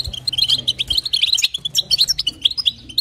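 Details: Female European goldfinch calling to rouse a male: a brief, lively series of clear, high chirping notes in rapid, bouncing rhythm over a low hum.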